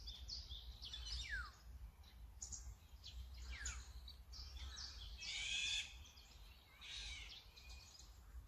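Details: Azure-winged magpie (Cyanopica cyanus, Corvidae, about 37 cm, Korea/Japan) giving harsh, rasping calls and quick downward-slurred notes, about six bursts in eight seconds, over a steady low background rumble.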